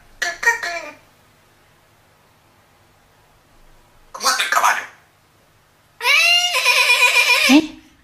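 African grey parrot mimicking: quick speech-like syllables, a rough spoken phrase, then a long wavering, quavering call like an imitated animal.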